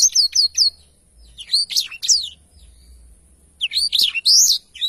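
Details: Black-throated canary in full song, quick bursts of high chirping and whistled syllables separated by a quiet gap of about two seconds.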